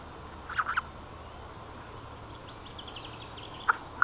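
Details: Jay giving its morning "song" at 9:18 on 30 March 2014 near an Estonian black stork nest: short, rasping, nasal notes, a quick cluster of three, then two single harsh notes, over a quiet background.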